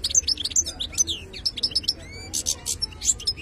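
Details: Lively song of a European goldfinch from the wild: crisp repeated high chips, upward-sweeping liquid notes, and two short buzzy bursts, delivered in quick uneven clusters against a soft low hum.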